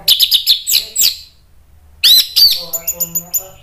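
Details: Orange-headed thrush in full song, played as a lure to provoke other thrushes into answering: a burst of quick chirping high notes, a short pause, then sharper sweeping notes and a row of five evenly spaced bright chips.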